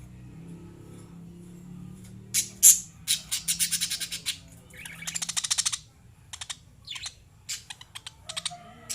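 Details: Lovebirds singing and chirping: bursts of sharp, high chirps and rapid buzzy trills, some notes repeated in fast stuttering series, with quiet pauses between phrases and a low background hum.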